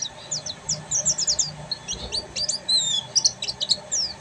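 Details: Oriental white-eye, buxtoni form, in full ngeriwik song: a dense, rapid chatter of very high, thin twittering notes with short sliding whistles, delivered almost without pause over a soft low background hum.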